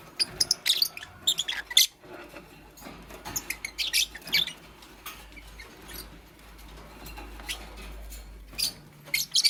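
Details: Nest-building green Fischer's lovebird beside a pastel bird in the morning, giving clusters of high, piercing chirps and squeaks, dense at the start, then sparser, with a faint low hum underneath.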